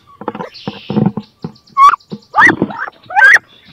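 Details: Wood duck hens battling for a nest box to lay in; busy scraping and thumping, then three rising squeals in quick succession, the last two harsher and more strained.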